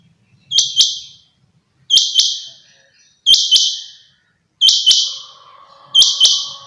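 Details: Common quail in a summer meadow giving sharp, clipped high notes in short bursts, repeated about every one and a half seconds; a faint low hum enters near the end.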